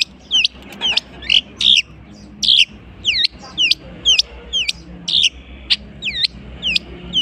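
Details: Long-tailed shrike singing vigorously, imitating other bird species: a steady series of hooked, downslurred whistles, roughly two per second, mixed with a few harsher scratchy notes over low background hum.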